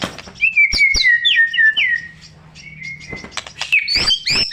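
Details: Song of a white-rumped shama, heavy with mimicked phrases, used to provoke shamas that stopped singing: clear falling whistles and sharp ticks, a soft pause with a thin held note, then high bright phrases.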